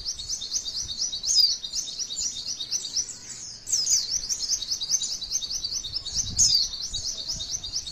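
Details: Female white-eye singing long 'tembakan' phrases meant for other white-eyes to copy: rapid repeated high chirps in a rolling chain, briefly dipping quieter around the middle before resuming with bright sweeping accents.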